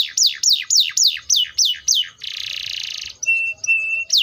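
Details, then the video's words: Canary delivering seven rapid descending swept notes, a sustained harsh buzzy trill, two flat whistled tones, and a final downward sweep. "THE VOICE OF THE CANARIA SERINUS"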